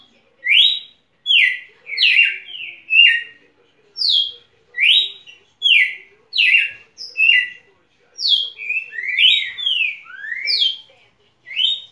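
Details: Champion Red-cowled cardinal in a sustained run of bright, slurred whistled notes, mostly falling and a few rising, delivered over a dozen seconds at an uneven pace of roughly one per second, sometimes in quick doublets.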